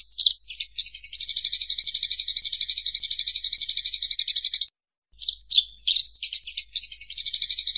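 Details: Eurasian tree sparrow fighting call, clear, used as a training recording for other songbirds: a brief chirp, then a long, fast, even run of harsh high chattering notes, about four per second, a short pause, then jumbled chirps leading into more chatter.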